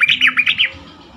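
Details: Yellow-vented bulbul singing as a lure to prompt other bulbuls to reply: a quick burst of about five liquid, bubbling notes that ends abruptly, then near quiet.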